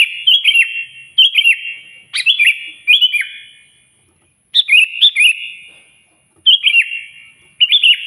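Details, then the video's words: Sooty-headed bulbul singing loudly to call a rival: short bubbly, liquid phrases of three or four quick notes, dipping and rising, given in bursts with echoing tails and brief pauses; a faint steady high whine runs throughout. "suara burung kutilang gacor keras, paling ampuh memanggil lawan auto emosi"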